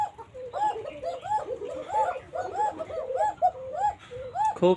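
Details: Banshiraj Koka domestic pigeons from Ilamdahi, Tanore, Rajshahi, Bangladesh, calling thinly with a flute-like voice; overlapping arched coo notes follow one another irregularly, several birds together, with a sharp knock at the end.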